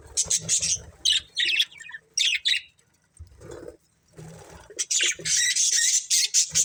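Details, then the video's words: A family of budgies makes quick clipped chirps and harsh warbles, then a quieter murmuring stretch before dense chattering returns. "Cute Budgies Chirping Sounds"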